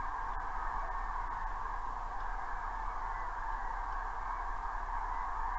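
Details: A distant flock of cranes in Estonia on 17 September 2016, calling loudly after shots, possibly fireworks, fills the air with a steady, blended chorus of mid-pitched trumpeting calls over a low rumble of background noise.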